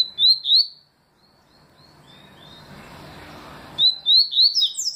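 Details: Papa-capim seedeater singing its 'tui' song style, recorded in 2020: two loud, sharp rising whistled notes near the start, then a quiet gap and a fast run of clear upslurred tui notes at the end.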